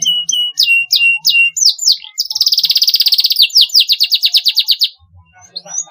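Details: Canary song meant to stimulate young canaries to sing: a series of sharp descending chirps, then a long rapid buzzy trill of repeated notes, fading to a few faint calls.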